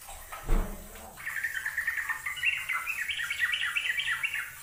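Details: Yellow-vented bulbul singing tirelessly on a bird-training recording. A low thump comes first, then a steady, chattering stream of quick warbled notes runs for over three seconds.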